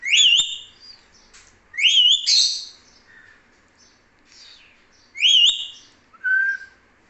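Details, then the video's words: Talking pet parrot, called mithu, giving loud whistled, wavering notes in short bursts about every two to three seconds, each sliding up and down, with softer chirps and a brief low whistle between them. "मिठू 🦜| Talking parrot"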